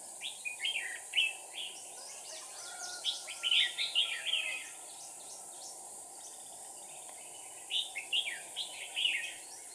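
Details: Red-whiskered bulbul used as a decoy, singing to provoke rivals: bursts of short, bright whistled and warbled notes, grouped into three clusters of phrases with pauses between them, over a steady hiss of background noise.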